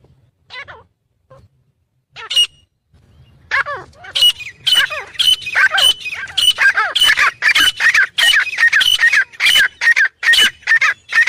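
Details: Black francolin male and female in a clear recording, giving a fast series of loud, grating calls. The calls repeat more than twice a second after a few scattered opening notes.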